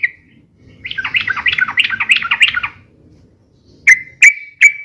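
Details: Yellow-vented bulbul singing busily and rapidly, used for luring and tutoring: a dense chattering warble of about two seconds, then three sharp separate chirps spaced evenly apart.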